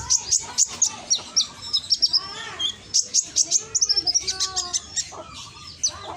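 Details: Loud lure song of a scarlet-headed flowerpecker from Gresik, East Java, used to provoke reluctant birds: a dense stream of piercing high chirps and ticks, with softer lower warbled notes underneath.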